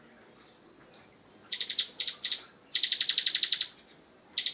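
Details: Bar-winged prinia 'ngebren' song opening with a thin falling whistle, then stuttering buzzy notes building into a rapid steady rattle of about ten high pulses.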